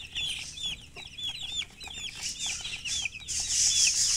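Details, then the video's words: Baby chickens chirping together: many overlapping high, down-slurred peeps over a loud background hiss and rustling, growing noisier toward the end. "Baby "Chicks Chirping" Sound"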